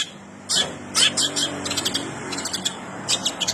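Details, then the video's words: Cendet in full song imitating a house sparrow, giving bursts of harsh, high chirps and dense twitters after a quiet start, with brief pauses between phrases and a low background hum. "cendet gacor isiannya burung gereja"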